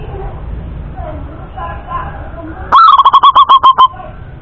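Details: Male Indonesian local zebra dove sings one crisp phrase of about nine rapid, pulsing coo notes after a few seconds of low background hiss and faint distant sounds; the notes are even, loud and slightly falling at the start.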